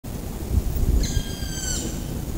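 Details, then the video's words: A black woodpecker gives its location call in Frankfurt's city forest at Lange Schneise: a single drawn-out, plaintive, slightly falling note lasting under a second, over a steady low rumble of wind or distant traffic. "Schwarzspecht Ruf"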